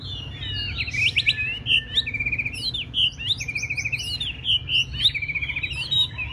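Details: A white-rumped shama in training for a bird singing contest pours out a fast, continuous song. Trilled and rattling phrases mix with bright whistled notes, repeated in quick pulses, over a soft low hum.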